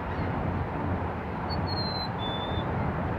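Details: Black-capped chickadee, Burlington, Canada, 26 March 2018, whistling one clean song phrase: a short sustained high note dropping to a slightly lower held note. Heavy, continuous low-frequency traffic hum fills the background.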